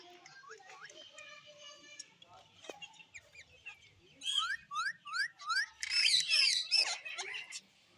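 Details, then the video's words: A parrot, tagged as a pet and possibly a ringneck or green parrot, chirps: nasal whistled notes, then a quick series of rising chirps about three a second, ending in loud harsh squawks. "Parrot Chirping Sounds"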